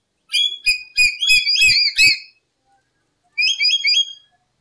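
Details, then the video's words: Lory recorded as a lure, giving a rapid tumble of sharp twisting whistles with low knocks underneath, a silent gap of about a second, then a shorter burst of similar notes. "Suara Burung Nuri Full 1 Jam Masteran untuk Pancingan"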